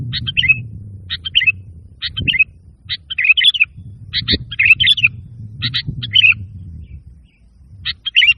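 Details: Sooty-headed bulbul singing, played to coax lazy caged birds into song or to lure birds: short clusters of bubbly chirps every second or so, with a steady low hum and occasional knocks beneath.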